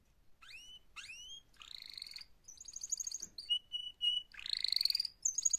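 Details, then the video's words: Canary singing, presented as a mating call: upward-sweeping whistled notes, then a buzzy trill, a clear steady whistle and fast rolling trills, all high-pitched and clean with no other sounds. "Active LIVE mating call Canary Singing"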